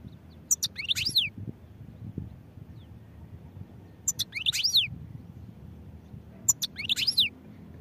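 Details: European goldfinch giving three short, separate bursts of high twittering, each a cluster of sharp ticks and falling slurred whistles, roughly every three seconds, with faint low rumble between.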